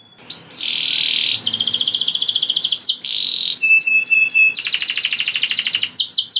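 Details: Chattering canary song to bring other canaries into breeding mood: rapid trills of repeated notes, sustained buzzy rolls and metallic tour-like notes, changing every second or so, loud and continuous.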